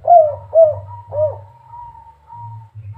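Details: Three rounded coos from a spotted dove singing in the kuk 3 style, from Semarang, Indonesia. Faint thin tones trail after them over a steady low background hum.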